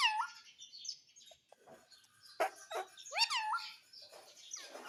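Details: Talking parrot kept as a pet, mixing curved, swooping harmonic calls with sharp clicks and breathy chatter over low background hiss.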